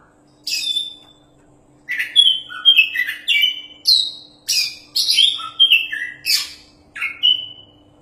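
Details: Oriental magpie-robin, a contest champion singing vigorously, a model for training other birds: a fast run of clear whistled notes at varied pitches, broken by rasping chatter, about a hundred notes a minute after a brief opening pause.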